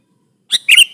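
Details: Prolific sooty-headed bulbul singing to press a rival, used as a trapping lure: a short harsh note, then a louder two-part slurred chirp with a trailing whistled tail, in a quiet setting.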